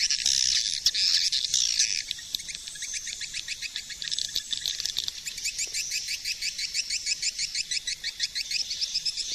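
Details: Swiftlet calling sound for luring: loud high buzzy twitter for two seconds, then a long train of quick, regular clicking pulses, sharp and metallic, continuing steadily.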